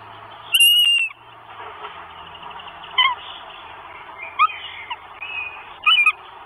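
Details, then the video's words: Northern goshawk chicks begging their mother for food at the nest, filmed by a live nest camera in Estonia on 24 May 2022; a loud, whining whistled cry followed by shorter, irregular squealing calls over a steady background hiss. "CHICKS WISH FOOD_ MOM. )))) NORTHEN GOSHAWK."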